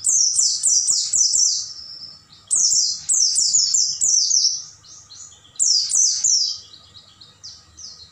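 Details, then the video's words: Oriental white-eye singing at night, recorded to teach caged birds: three long phrases of fast, high, down-slurred twittering notes, each run lasting about two seconds with brief pauses between them. "MASTERAN PLECI MALAM HARI,AGAR PAGI GACOR BUKA PARUH dan bongkar isian"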